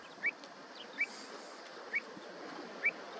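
Pied Avocet chicks give four thin, high peeps, each brief and spaced about a second apart, over a steady background hiss of wind or water.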